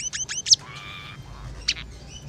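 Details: Scaly-breasted munia song with phrases of house sparrow, red siskin and canary: a few sharp high chirps with hooked upslurs, a short level buzzy note, then two more brief chirps over quiet background.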